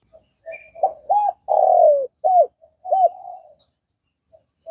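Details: Spotted dove from Vietnam giving one cooing phrase: short soft hoots, then a longer, falling central coo and further clipped notes, ending in a trailing murmur. The surroundings are silent.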